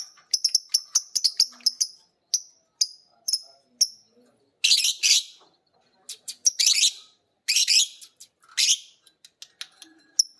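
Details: Two caged pet lovebirds, a biola green and a PB Piet, learning to ngekek by listening to a master recording: many short sharp high chirps in quick series, then long rasping chattering trills in bursts of about half a second.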